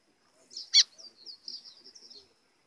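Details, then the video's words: A White-throated seedeater gives a thin, high, warbled phrase under two seconds long, opening with a sharp loud note, in the style of a blue grosbeak song, used as a lure call. "GOLINHA CANTO AZULÃO COM CHAMO PARA FOGUEAR"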